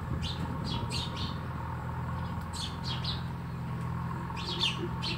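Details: Sparrows chirping at a house; short, sharp downward chirps come in small clusters of two or three, separated by pauses, over a steady low hum.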